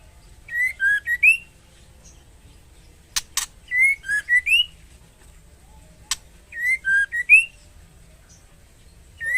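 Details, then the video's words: Female white-rumped shama calling a male while in breeding condition; repeated phrases of clear rising and falling whistles every three seconds, interrupted by two sharp clicks. "Suara MURAI BETINA Memanggil Jantan"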